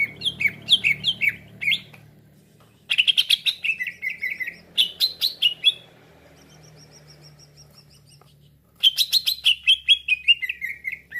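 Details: Cucak ijo lure call for trapping, bursts of fast descending whistled notes mixed with harsh chatter, separated by quiet gaps with low background hum.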